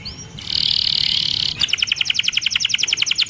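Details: Canary gives a sustained high buzzy tone for about a second, followed by a fast, evenly spaced series of bright chirping notes.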